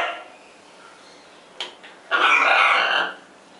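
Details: Scarlet macaw pair kept on a farm; after a couple of faint clicks comes one long, loud, grating squawk lasting about a second, then quiet.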